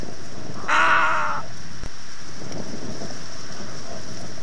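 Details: A single drawn-out, hoarse, grating croak from a little egret lasting under a second, over steady hissing background noise.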